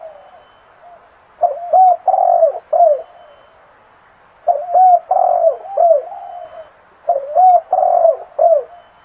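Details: Zebra dove (Geopelia striata), cooing call.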